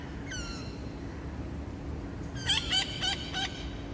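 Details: Wild parrots on a surprise visit, late afternoon on August 30, a scout calling before three more joined: one harsh drawn-out call, then a burst of four rough squawks, over a steady low hum.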